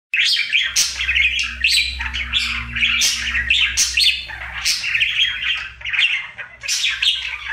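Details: Budgerigar, a happy pet bird, doing his daily singing routine indoors: a continuous chattering warble of fast buzzy trills, clicks and squeaky chirps in rising and falling bursts, with a low steady hum underneath.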